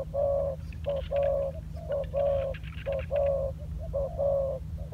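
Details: Low soft coos from a spotted dove kept as a decoy and trained on the ground. Short notes and longer held notes come in a steady rhythm, roughly once a second, over a continuous low hum.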